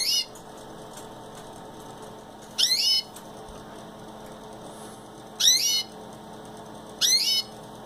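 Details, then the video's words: Caged pet canary giving high, quick downward-sweeping chirp bursts, three clear ones spaced a few seconds apart after an opening note, over faint steady room hum. "Renny the canary"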